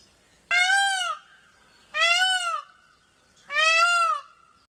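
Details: Peacock and peahen calling: three loud, harmonically rich, slightly arched nasal wails, each lasting about half a second to a second and spaced about one and a half seconds apart, with quiet between.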